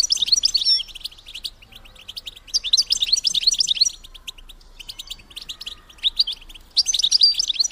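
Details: Call of a female European goldfinch, played to prompt males to mate: three dense bursts of rapid, high, jingling twitters separated by softer, sparse chirping.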